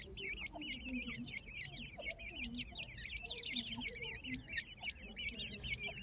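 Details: Grey francolin chicks with their family, a chorus of many thin, high chirps and squeaky twitters overlapping continuously, with lower soft calls and a background rumble.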